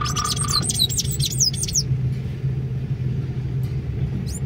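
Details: Sayaca tanager calling on 25 May 2024: a quick series of high, thin, downslurred whistled notes for under two seconds, with a steady low rumbling hum throughout.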